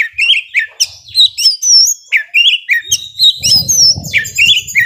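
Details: Young wild-caught Oriental magpie-robin singing intensely: rich whistled phrases mixed with sharp chirps and slurred notes, bursts about every few tenths of a second, with faint low rumbling noise partway through.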